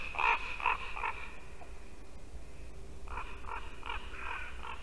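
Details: Ravens calling beside a white-tailed eagle nest in Latvia at 8:59 AM on 2 December 2019. Three loud harsh croaks open the passage, then a pause, then a fainter run of five rasping notes.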